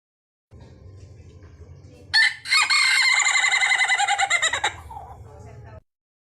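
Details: Chicken, one of a series from different countries, giving a loud pulsing crow of about two and a half seconds that follows a quieter low rumble of background noise.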